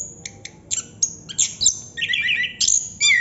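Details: Chestnut-capped thrush singing in the ngerol style, a long non-stop song: loud, rapid phrases of sharp high whistles and chirps, some falling and some warbled, with a few squawky notes, delivered in quick succession.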